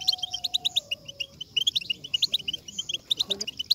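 European goldfinch twittering a fast, bright, tinkling stream of high notes, about five a second. A faint, low, steady whistled tone runs underneath at first.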